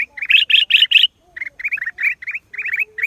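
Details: Black-crested bulbul, April 2023: four loud, harsh, buzzy notes open the sequence, followed by quicker upslurred chirps in small groups over a faint low hum.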